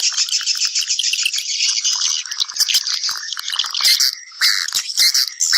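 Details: Swiftlets calling others to come and nest: a dense, continuous twittering of high, buzzy chirps, overlapping and uneven, with brief louder bursts near the end.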